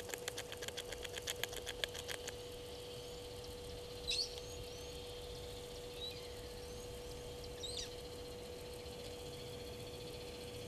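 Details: Blacksmith lapwing (Vanellus armatus) on a small island at Gowrie dam waterhole, Djuma Game Reserve, Sabi Sand, South Africa, 22 March 2022 around 15:02, gives a quick run of sharp metallic ticks, then two brief high notes, over steady electrical hum.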